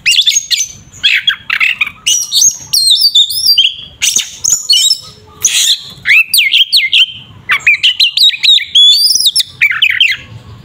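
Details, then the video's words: Oriental magpie-robin 'tarung ngeplong' fighting song, a lure meant to make other magpie-robins emotional: long, varied outpouring of loud whistles, trills, squawks and scratchy bursts, barely pausing. "Suara burung Kacer TARUNG NGEPLONG sangat efektif untuk pancingan Kacer agar emosi"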